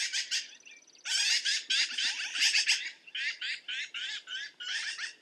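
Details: Black-billed magpie giving a rapid, harsh chattering series of raspy notes, a short broken start, then a dense run of grating bursts continuing to the end.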